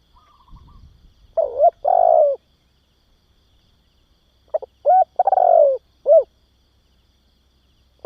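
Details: Spotted dove coos meant to excite and train young doves: two phrases several seconds apart, each of short clipped notes and a drawn-out vibrating coo, ending with a brief final note, in near silence.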